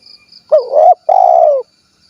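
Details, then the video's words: Spotted dove, 'kuk 1' type, from Cilacap in Central Java. It gives a bent, warbling opening note, a short silence, then a sustained, throbbing coo that sinks gently at the end. A faint high tone sounds in the background. "SUARA BURUNG TEKUKUR / DERKUKU KUK 1 GACOR"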